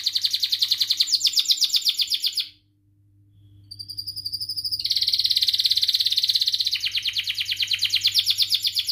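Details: Canary singing a long, chattering song meant to stimulate and train other canaries; rapid buzzy trills repeated in fast pulses, a brief pause near the middle, then a sustained rolling trill resuming strongly; faint steady hum underneath.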